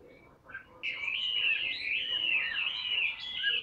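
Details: Caged Chinese hwamei pouring out a dense, continuous warbling whistle after a quiet start, with faint room noise beneath.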